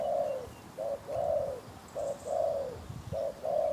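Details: Wild spotted dove with a very deep voice approaching a hunter's decoy: low, hollow coos in short and longer phrases, repeated roughly every second, over faint rustling background.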